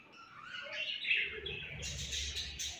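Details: Budgerigars at feeding time give warbling, chattering chirps that rise and fall, then turn into brighter, scratchy high twitters in the last second, over faint low background rumble.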